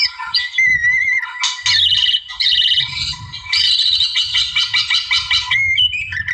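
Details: Wild white-rumped shama singing a song meant to provoke a rival: loud, varied phrases of clear whistles and rapid buzzy trills, with pauses between bursts and a faint low rumble underneath.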